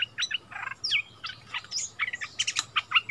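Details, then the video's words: Bulbul trading song with a resident territory holder after a decoy bird is taken back to its old territory. Busy, bubbling phrases of chirps and short slurred whistles pour out without pause. "เสียงนกดอกแตงEp.30 คืนถิ่นเก่า!!ดวลเพลงเบิ้ลกับเจ้าถิ่น"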